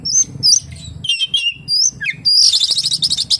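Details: Oriental magpie-robin song with kapas tembak imitations: high thin whistles and warbled notes, ending in a fast, even, buzzy rattle.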